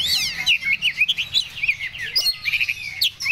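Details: Medan-type Oriental magpie-robin in breeding condition delivers rapid, looping whistles and zigzag trills in quick succession, bright and high, with short gaps between bursts.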